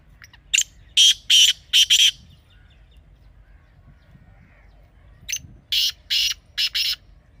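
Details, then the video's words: Partridge calling, played to encourage partridges to call: two rapid series of loud grating notes, four or five each, separated by about three seconds of quiet. "Teetar Ki Awaz Ko Mazboot Karne Ka Tarika"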